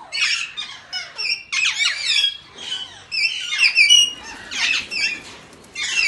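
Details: Alexandrine parakeet calling continuously with loud, rasping squawks and shrill upward-sweeping notes in quick irregular bursts.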